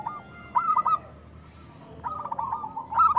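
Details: Zebra dove song from a loud local perkutut, played to encourage reluctant doves: two clusters of quick stammering coos separated by about a second of near quiet, the second phrase longer and rising into bright notes.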